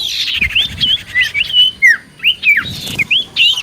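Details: Common iora in lively full song, used as a lure to make other ioras reply: quick whistled notes sliding up and down, some sharply falling, delivered in short bursts with brief gaps, bright and clear over faint low background noise.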